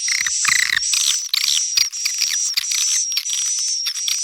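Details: Swiftlets calling to attract juveniles: raspy, chattering bursts in quick succession, with a steady high-pitched whistle running through the whole stretch.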